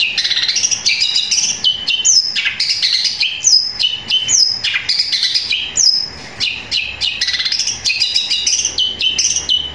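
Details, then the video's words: Long-tailed shrike in loud, long, continuous song mixing sparrow-like notes: dense high chatter with sharp falling whistles and quick chirps, nearly unbroken for ten seconds, clean and close. "Cendet suara gereja tarung sambung kunti gacor panjang keras powernya"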